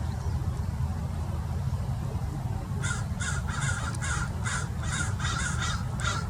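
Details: American Crows mobbing a perched Peregrine Falcon at Mason Regional Park, Irvine, California; after a stretch of steady low rumble, about eight harsh, raspy caws ring out in quick succession, roughly two per second.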